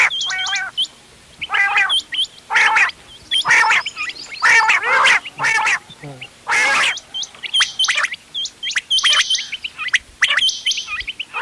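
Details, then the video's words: Mixed quail calls used for hunting, 31 October 2025: short, nasal, buzzy bursts in the middle, framed by bouts of rapid, high, clipped whistled notes at start and end. "بٹیروں کی مکس آواز quail bird sounds for hunting bater ki awaaz"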